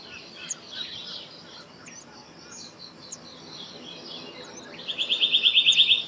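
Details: Black-naped monarch, also called black-naped blue flycatcher, bursting into a rapid, even run of about ten high, ringing notes near the end, after several seconds of faint chirps and background hiss.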